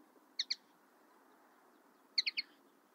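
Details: Common linnet: a paired high chirp, then after a gap of about 1.5 seconds a rapid triplet of bright twittering notes, over a low hiss.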